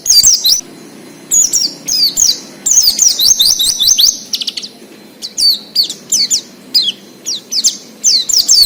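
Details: Oriental white-eye singing in the wild-style ngalas manner, recorded as a lure for untrained captive birds: repeated short bursts of very high, thin, down-slurred whistles, several notes per burst, separated by brief pauses, with a faint low hum beneath.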